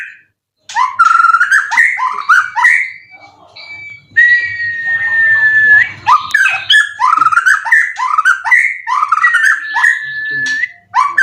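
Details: Caged Indonesian white-rumped shama with twelve contest wins and full cililin song material gives a long run of quick upslurred chirps and whistled notes, including a sustained clear whistle, over a soft low hum.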